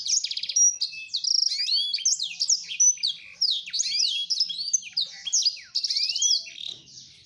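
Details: Male black-throated canary wooing a female in a continuous, varied warble of quick trills, slurred whistles and chirps running for several seconds.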